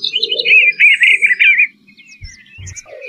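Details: Eastern bluebird pouring out a continuous melodious warble for over a second, with a low murmuring sound underneath, then quiet with a few thumps.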